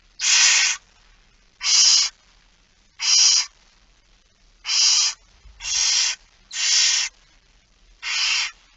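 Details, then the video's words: Barn owl chicks begging at feeding time, 06:57 on 13 September 2019, Friesland nature reserve: seven loud rasping hisses, each about half a second long, coming roughly every second with brief quiet gaps. "Kerkuil It Fryske Gea 2019 09 13 06 57 voedering"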